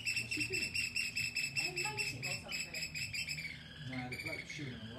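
Oystercatchers give loud, shrill piping notes in a rapid run of two or three per second, with low human voices in the background.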